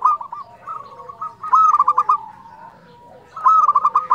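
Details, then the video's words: Local zebra dove with a fluting song, recorded as a tutor and lure; soft rolling coos, then two loud rapid bursts of staccato pulsed notes nearly two seconds apart. "perkutut lokal gacor suara nyuling"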